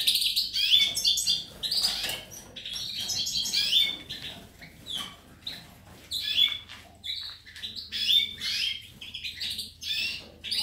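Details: European goldfinch giving a long run of lively twittering phrases, high and chattering, broken by brief silences and resuming again and again.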